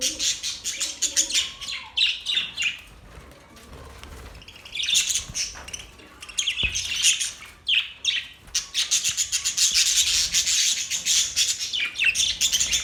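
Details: Budgerigars, Australian parrots, keep up lively chattering: rapid scratchy chirps and warbles, a quieter stretch mid-way, then a dense continuous high twittering chorus to the end.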